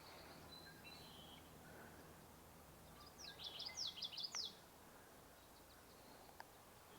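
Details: A Common Yellowthroat calls on a warm, sunny May 3 morning at Sargeant Bay Provincial Park, British Columbia, giving a quick burst of about six sharp, high chipping notes over just over a second, against a steady outdoor hiss and a faint distant bird.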